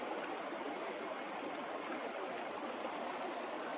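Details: Steady rush of a flowing creek in the Whitemud Creek Valley, Edmonton, Alberta, in spring, with no animal voices.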